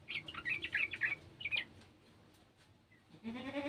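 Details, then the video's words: Garden sooty-headed bulbul joining in with an untrained bulbul: a quick cluster of sharp chirps, a short gap of near silence, then a rising goat-like bleat at the end. "TRUCUKAN KEBON ikutan bunyi burung trucukan bahan"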